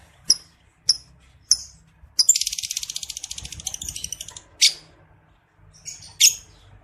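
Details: Male lovebird in breeding condition: three sharp high chirps, then a long rattling ngekek trill of about two seconds, followed by more chirps; meant to provoke males to trill. Faint low background noise.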